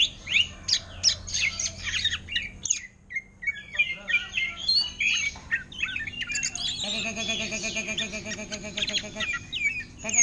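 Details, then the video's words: Caged greater green leafbird singing in orange-headed thrush style, delivering a dense run of high, rapid chirps, squeaky notes and short whistles, with people talking during the latter part. "Cucak Ijo Ngentrok Gaya Anis Merah"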